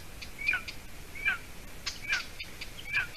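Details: Young golden eagle at a Latvian nest, 30 June 2020, early evening, as the adult female arrives with food; four high, piercing whistles gliding downward, evenly spaced under a second apart, with soft rustling between.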